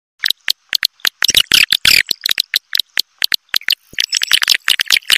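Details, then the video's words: Swiftlet lure call of the Raja Liur style, meant to attract swiftlets: a run of sharp, dry clicks in irregular rattling bursts, with a few short twittering notes near the end. "Suara Panggil Walet Raja Liur Terbaru Call Swallow Birds"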